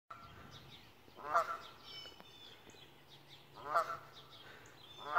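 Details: A Canada goose on a house roof gives three loud, nasal honks, each a quick rising-then-falling blare about two seconds apart, over faint background chirps and low hum.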